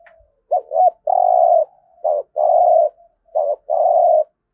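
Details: Spotted dove giving the thúc gù coo, used for daily decoy-bird training: low, hollow phrases, each a short wavering note followed by a longer steady hum, repeated three times with brief gaps.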